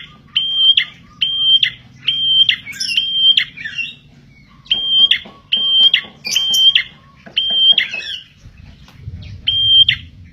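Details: Prenjak tilik song used to lure birds: a clear, steady high whistle followed by a short trill, repeated roughly every second in two bursts, with soft lower ticking notes between them and a quiet background hum.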